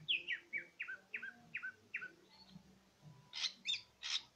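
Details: Greater green leafbird, cucak ijo, in full song: a series of six clear downslurred whistles at an even pace, a short gap, then three harsher burst-like notes over a faint background hum.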